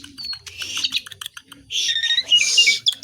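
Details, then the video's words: Asian pied starling in song filled with imitations, giving a thin whistle, soft clicks and chatter, then a loud buzzy rasp with sliding whistled notes mixed in. "JALAK SUREN GACOR BESETAN ISIAN"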